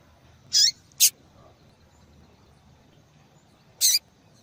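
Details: A female papa-capim, or yellow-bellied seedeater, gives a quick pair of thin, high notes, then after a three-second pause a single similar note; the background is otherwise still.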